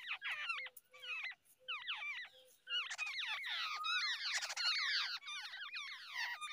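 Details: Wild babbler feeding its chicks at the nest, parent and young communicating; rapid run of bright chirps that slide downward, starting as short groups and merging into dense overlapping chatter from several birds.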